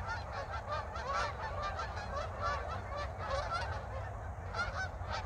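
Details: {'text': 'Flock of geese flying overhead in winter in north Idaho, Pacific Northwest, with no snow yet: many overlapping nasal honks continuously against a low steady rumble of wind or traffic.'}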